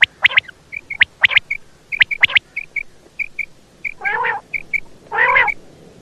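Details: Female quail calls: clicky paired notes alternate with short high piping tones, then two longer nasal, buzzy squawks near the end.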